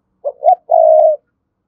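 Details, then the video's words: Spotted dove calling to wild doves with a lively provoking coo. One brief phrase: a short low hoot, a rising note, then a long, steady, mellow coo. "cu gáy thúc gù & gáy gọi bổi hay"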